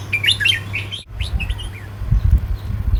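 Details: Southern-style counting-phrase song of a red-whiskered bulbul, with rapid chirpy whistled notes in two bursts either side of a brief break, accompanied by low thumping handling noise and a constant hum.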